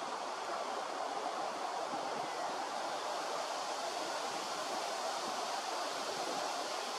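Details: A steady, even rush of broadband noise, like flowing water or surf, fills the whole recording, with no clear animal calls.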